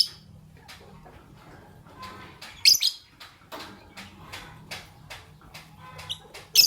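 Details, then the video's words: Fischer's lovebirds, a white albino and a pastel green, chirping in the morning: scattered short clicks and ticks with a few sudden shrill, piercing squeaks near the third second and at the end, over a faint low hum. "Lovebird Chirping Sounds - White Albino with Pastel Green Fischer's"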